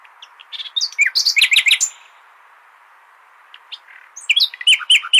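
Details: Nightingale phrases played to teach goldfinches: a jumble of sweeping, chattering notes. A quiet gap follows, then another burst of quick, scratchy chirps and whistles.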